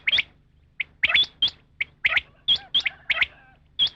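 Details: Rain quail female call for hunting: spaced single and paired high chirps, each with a slight upward flick, about one per second.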